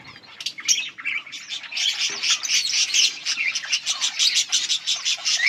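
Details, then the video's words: Group of yellow budgerigars, August 18, 2024, building from soft squeaks into a dense, rapid chatter of buzzy warbles and sharp chirps. "Beautiful yellow budgies chirping sounds"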